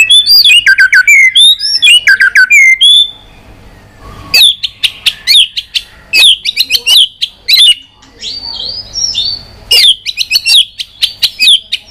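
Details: Fighting song of a white-rumped shama in a long-voiced style, the bird tail-flicking: loud fluting whistles and slurred notes, then a quieter gap, followed by fast runs of short sharp high notes and trills.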